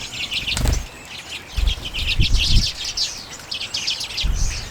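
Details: A flock of common redpolls feeding on sunflower seeds in late January 2022 gives a constant high, twittering chatter of short chirps, with several dull low thumps like wingbeats or knocks.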